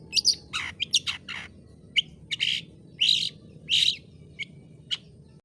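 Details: Long-tailed shrike song: a varied run of sharp, shrill high chirps and short bursts, some clustered, others single, spaced unevenly over about five seconds, with a low steady hum underneath.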